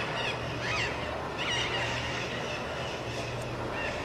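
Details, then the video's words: Several parrots arriving and leaving at Campos dos Goytacazes, Rio de Janeiro, Brazil: scattered harsh, rising-and-falling squawks, about four in four seconds, over a steady low engine hum. "Papagaios chegando e saindo, vários."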